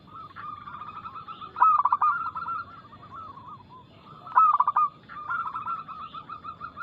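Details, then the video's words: Zebra dove, local type, singing with fast, loud, crystal tone as lure song to make other doves call; two loud stuttering coo phrases, each followed by a run of rhythmic softer coos, with low background hum. "PERKUTUT LOKAL GACOR Nada cepat Suara keras kristal Bikin cepat bunyi ( Pancingan Burung Anggungan)"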